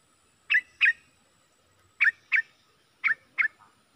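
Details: Caged decoy bulbul giving short, bright two-note chirps in three evenly spaced pairs, each note dropping in pitch, over a quiet background.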